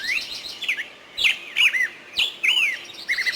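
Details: Bulbul giving clear, looping whistles in separate short phrases, each bending down then up, with brief pauses and a couple of sharp clicks.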